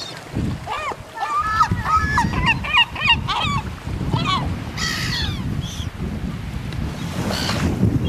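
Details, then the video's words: European herring gulls giving a burst of repeated yelping, laughing notes followed by scattered single calls, over steady surf and wind noise. "herring gulls"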